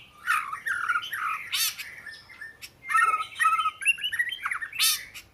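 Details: Oriental magpie-robin giving a varied, loud song of warbled and slurred whistles mixed with harsh squawky notes, phrases rising and falling in quick succession.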